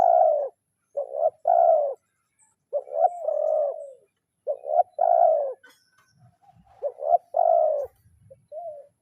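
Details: Spotted dove calling a rival in the kuk 0-1 lure style, giving four cooing phrases in a row, each built from quick short notes and ending in a drawn-out coo, with faint soft notes afterward.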